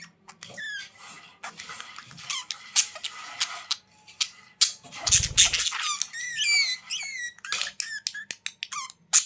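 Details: Budgerigars warbling: rapid mix of sharp clicks, scratchy chatter and short rising-falling whistled notes, with a brief low thump midway.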